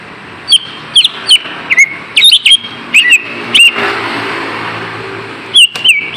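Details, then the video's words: Lesser green leafbird lure song to rouse lazy birds: scattered, sharp, high chirped whistles in small groups, and a passing vehicle rumbling through the quiet middle stretch. "SUARA PANCINGAN BURUNG CUCA IJO AGAR TIDAK MALAS"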